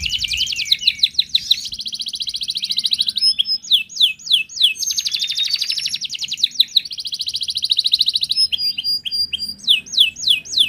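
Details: Wild canary song used to coax other canaries into singing: long fast buzzy trills alternate with runs of sharp, high downward-sweeping notes, loud and clear against a quiet background.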